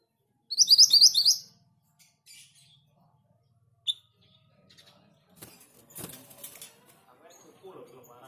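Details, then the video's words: Orange minivet in full song: a short burst of about eight quick, high, rising whistled notes, then quiet stretches with faint clicks and low rustling noises. "Burung sepah hutan gacor / mantenan gunung gacor (orange minivet)"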